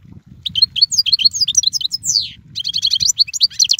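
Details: A European goldfinch (Carduelis carduelis) sings a run of high chirping notes, then a long descending slurred whistle, followed by rapid tinkling twitters.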